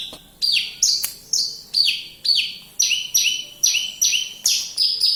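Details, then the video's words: Javan bush lark singing persistently in Kediri, a steady series of about a dozen high, sharply descending slurred notes, each dropping from a bright peak and trailing off, roughly two per second, in a quiet setting. "Branjagan gacor"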